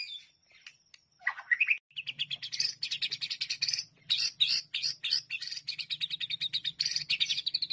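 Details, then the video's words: White-rumped shama training song said to be most sought by judges. A few rising whistles give way to a dense, fast chattering warble that continues steadily over a faint low hum. "MASTERAN MURAI BATU PALING DI CARI JURI"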